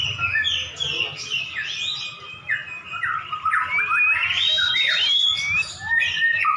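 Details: White-rumped shama dueling another caged prize bird; bright fluting whistles and long sliding notes mixed with harsh chatter, loud and unbroken, overlapping phrases from both birds.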